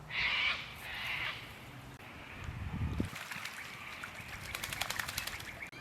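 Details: A Sulphur-crested Cockatoo perched above gives two harsh, grating screeches in Carisbrooke Park, a suburban South Australian park with river red gums along the Little Para River, then low wind rumble and rapid clicking or flapping sounds.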